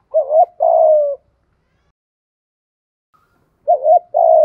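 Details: Decoy spotted dove calling to entice wild birds, 'gáy gọi một hậu' style with a single ending: two mellow phrases, each a short warbled double note leading into a sustained, gently falling coo, separated by a long silence.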